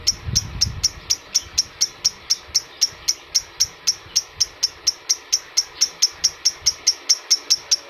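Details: Adult lovebird chirping used to stimulate other adult birds: a fast, unbroken string of thin, sharp chirps at an even pace, with a brief low thump at the start.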